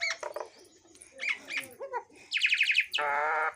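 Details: Kept talking myna that can produce many kinds of sounds: a quick run of varied chirps, squeaky notes and harmonic whistles, ending in a steady buzzy tone.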